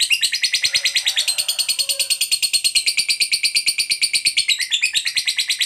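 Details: Lovebird kept as a pet bird, giving a long ngekek trill meant to draw other lovebirds into calling: rapid, even, high chattering notes, several per second, running without a break through the whole stretch, with a faint lower tone partway.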